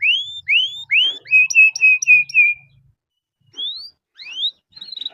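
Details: Canary song used as a prompt to get other canaries singing quickly. Three bright rising slurred whistles precede five repeated downslurred notes. After a pause come more rising whistles and a twittering phrase.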